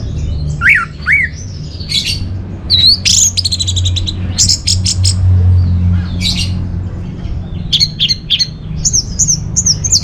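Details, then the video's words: Orange-headed thrush song played as a lure and master song for caged birds: varied phrases of swooping whistles, sharp chirps and fast trills, with a low background hum. "Bikin Geger ANIS MERAH Dirumah Pasti Gacor || Pancingan sekaligus Masteran Burung Punglor"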